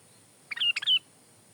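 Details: Sooty-headed bulbul song used for tutoring and luring: one quick two-part bubbly phrase ending in bright falling whistles, loud and clear over a quiet background.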